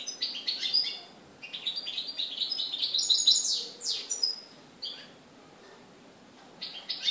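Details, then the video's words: European goldfinch recorded in Morocco on 4 December 2013, singing a fast, high twittering song of tinkling, buzzy notes in bursts, with short pauses between phrases and a quiet background. "chardonneret au maroc le 04/12/2013"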